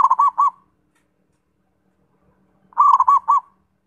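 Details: Zebra dove song, the end of one rolling phrase followed after two seconds of quiet by another stuttered burst of looped coo notes; faint steady low hum.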